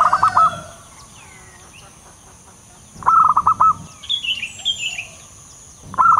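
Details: Local wild zebra dove, a trapping lure call: short bursts of rapid, staccato coos at mid pitch roughly every three seconds, with higher chirps from another bird in between and a constant high background whine.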